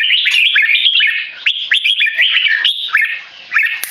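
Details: Tame Singapore-raised male red-whiskered bulbul, tested with human disturbance, giving loud keke calls: a steady chain of clipped, upslurred harsh notes with a brief dip midway.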